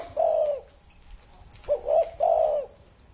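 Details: Long, soft coo from a spotted dove over thirty years old, then a complete phrase: a quick rising note and two sustained, husky coos in a quiet setting.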